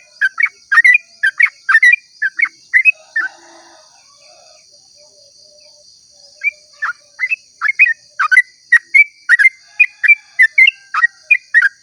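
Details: Yellow-vented bulbul giving a long rambling 'ropel' song at dawn: bubbly, warbled phrases of quick liquid notes in two bursts separated by a pause of about three seconds. A steady high electronic hum runs underneath.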